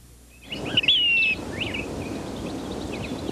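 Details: Black Phoebe, typical of lowland rivers in California and the Southwest, perched near the water's edge giving its sharp call notes: high chips and one thin, slightly falling whistle, then fainter chips over steady hiss.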